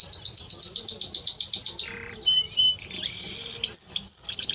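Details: Timbrado Español canary song: a fast, even trill of about twelve notes, a pause, pure whistled tones, then a buzzy sustained note and a sliding whistle.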